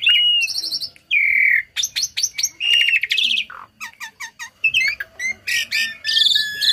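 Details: Tame Asian pied starling delivering a strong song filled with copied material, used as a tutor for other birds. Drawn-out downslurred whistles, buzzy chatters and quick chirp series follow each other in a varied, energetic stream.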